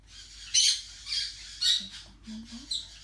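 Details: A four-week-old yellow-chevroned parakeet chick (Brotogeris chiriri) gives harsh, noisy squawks, four in about three seconds with uneven gaps, while a person's voice murmurs quietly underneath.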